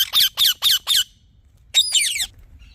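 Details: Talking parrot giving four fast, evenly spaced screechy chirps, then a pause and one longer, rough, falling call.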